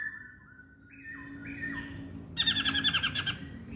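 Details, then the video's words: Chinese hwamei giving clear whistled notes that step up and down in pitch, then a burst of rapid buzzy, harmonic-rich notes repeated about eight times, over a low steady hum. "Kicauan Poksay Hongkong"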